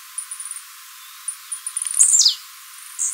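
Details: Mateiro-type blue-black grassquit recorded live, song used for fibra training. Thin high ticking notes lead into one loud buzzy downward slur, followed by the start of another high burst.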